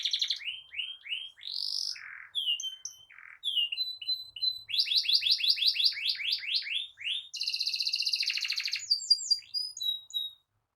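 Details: Canary singing energetically with long rolling song, meant as a tutor and prompt to get silent young canaries singing; high-pitched rapid trills, buzzy rolls and fast repeated slurred notes, phrases changing every second or two, no other sounds.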